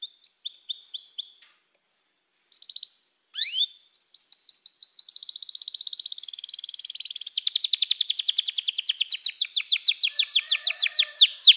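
A canary sings a long, high, sweet song of rapid rolling trills and chirps, pausing briefly before building into fast continuous runs.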